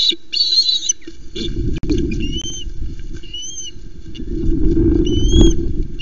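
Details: An osprey at a nest at Loch Arkaig, Scotland, as a fish is delivered, gives short, clear whistled notes that slur upward and fall, spaced a second or two apart, over steady wind and low rumbling noise.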